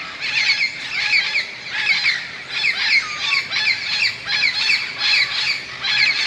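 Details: Many parrots gathered in large bamboo plants beside a golf course in Moka, Trinidad and Tobago, squawking as they prepare for night in the evening; harsh overlapping squawks in bursts about every second, steady chorus throughout.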